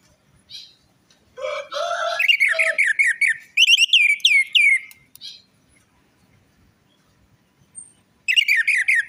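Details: Orange-headed thrush singing as a lure for a bird that has stopped singing or is stressed: a harsh, low, grating phrase leads into fast strings of looping whistled notes, a pause, then another bright warbled run.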